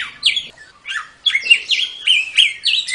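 A samyong sings a fast, lively run of high whistled notes, sweeping up and down in quick succession with sharp chirps between phrases.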